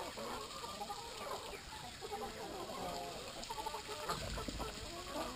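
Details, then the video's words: Several Brahma chickens at drinking time making low, fragmented clucks and brief tonal calls, fairly quiet, with a dull thump partway through. "time for water - brahma chickens.."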